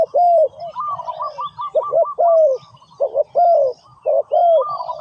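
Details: Decoy spotted dove on the ground calling to attract wild doves: loud overlapping coos, double notes and long hoarse downslurred notes, mixed with a rapid series of short higher clipped notes, as if two doves call together.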